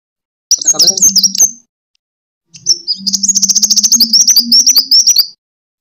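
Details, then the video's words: Fighting song of a sunbird, kolibri tarung, used as a pancingan lure for training birds. A brief high twitter, a pause, then a long rapid string of sharp, evenly pulsed high notes, a low hum underneath. "Suara: -*BuRunG*- [Pancingan] ( KOLIBRI TARUNG ) BUAT MASTER"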